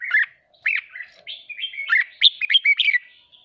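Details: Excited caged red-whiskered bulbul trained for contest singing pours out bubbly, quickly repeated warbled notes, a brief pause, then a fast chattering run of bright whistles.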